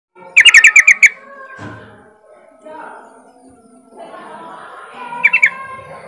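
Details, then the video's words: Sooty-headed bulbul giving its riwik song, used as a lure to get other untrained bulbuls to start singing: one quick burst of about seven bright chattering notes, then quiet background murmur and a brief later flourish. "pancingan trucukan bahan biar cepat bunyi riwik"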